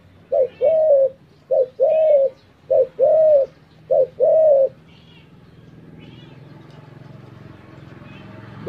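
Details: Spotted dove cooing in paired phrases, a short note followed by a longer, mellow, slightly arched coo, the pair repeated four times over about four seconds, then quiet with faint background hiss.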